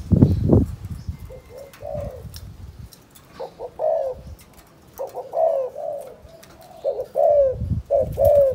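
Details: Spotted dove from Cần Thơ, Vietnam, giving the calling coo in the chụp chụp ô style: mellow low coos in short bursts, partly masked by deep rumbling thumps and clatter at the start.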